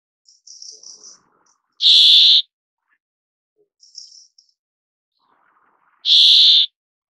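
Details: Brambling (Fringilla montifringilla) uttering two strong, grating, buzzy notes about four seconds apart, with quieter high-pitched chipping notes in the gaps.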